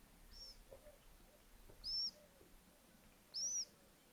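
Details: Little owls at a nest in a house attic at Tiszalök, Hungary, near Hortobágy National Park, April 24, 2024, as the first egg hatched; thin, high, arched squealing calls, three in all, spaced about one and a half seconds apart, over faint hum.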